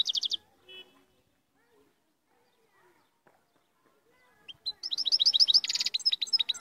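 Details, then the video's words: Moroccan royal goldfinch: a brief burst of high twitters, nearly four seconds of silence, then a rising note that opens into quick, jingling song. "الحسون الملكي المغربي - Chardonneret Royal Marocain"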